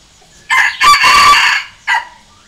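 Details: Challenge crow of a decoy junglefowl rooster used to provoke wild junglefowl into answering. It is a brief opening note, then a sustained rasping middle, ending in a short clipped syllable, with a quiet background.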